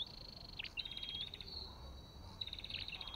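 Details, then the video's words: Olive-backed tailorbird, Orthotomus sepium: long level whistled notes near the top of its range, broken by a few sharp chips and ending in a short rising whistle, over a faint steady hiss. "Sập đôi đầu đỏ và vành khoen | Orthotomus sepium"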